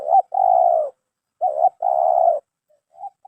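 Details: Spotted dove (terkukur) with a prized 'mersik' voice style, kept for its voice and body shape; mid-pitched tonal cooing, a short note followed by a long drawn-out coo, the pair repeated after a pause, then fainter short notes.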